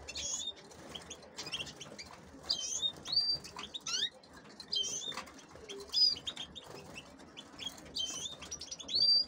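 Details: Several female canaries kept for hybridising with goldfinches give short, high chirps and brief whistled notes in bursts about every second, with soft wing-flutters between them.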